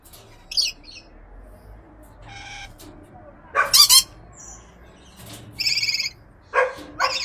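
Weber's lorikeet giving harsh, shrill screeches and buzzy, grating notes, about six short bursts spread irregularly over several seconds against a quiet background.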